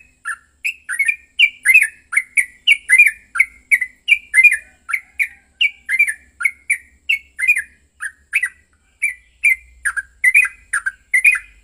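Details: A Yellow-vented bulbul in an agitated, fighting-emotion run of bubbly, liquid notes, about three a second, chattering on without pause, used to provoke other bulbuls into singing; nothing else is heard.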